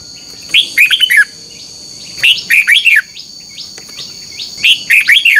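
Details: Red-whiskered bulbul morning contest song used to excite other birds; three bright phrases of four or five swooping whistled notes at regular intervals of about two seconds, over a continuous high tone.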